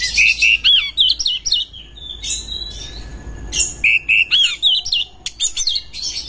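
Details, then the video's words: Breeding-condition Oriental magpie-robin giving a lure song for other birds: a rapid run of looping whistled notes repeated twice, separated by scratchy chatter and thin high tones. "JEBOL BIRAHI ⚪ RAMUAN KACER PALING AMPUH UNTUK PANCINGAN BURUNG ANDA"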